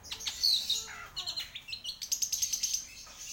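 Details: Long-tailed shrike singing a short warbled phrase of scratchy, varied notes that runs into a rapid string of high, thin chirps.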